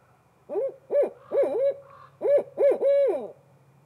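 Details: Female barred owl hooting in reply to her mate: loud, clear hoots in two groups of three, the last one drawn out and falling at the end, over a steady low hum.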